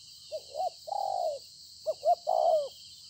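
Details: Spotted dove, a new wild-caught field bird, recorded 26 September 2020: two coo phrases, short rising notes each ending in a long level-to-falling coo, roughly one and a half seconds apart, with steady high hiss.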